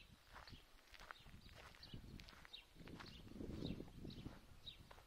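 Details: Greylag goose goslings at Lake Neusiedl, recently hatched and guarded by their parents, making their way to the water: repeated thin high peeps, several callers at once, with low footstep patter underneath.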